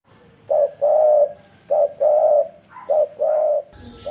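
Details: Spotted dove calling as a trapping lure: low, mellow coo phrases, each a short note then a longer, steady hooting one, repeated about every second and a half; a brief higher sound near the end.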